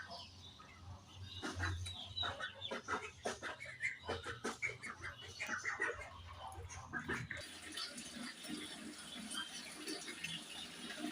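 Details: Pet budgies chirping in the morning in rapid, rhythmic twittering for about seven seconds, then a steady hiss with softer, distant chatter.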